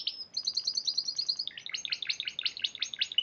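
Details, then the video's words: Competition-winning Spanish Timbrado canary, March 2014, singing fast repeated metallic trills, a rolling series of bright notes roughly eight per second, shifting midway into a busier, more warbled high rattle. "Kenari Spanish Timbrado Juara Piala Raja Maret 2014"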